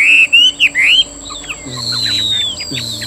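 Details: Chinese hwamei kept as a cage bird and described as singing well; a few loud, clear whistled slurs in the first second, then fainter, softer notes over a low steady hum.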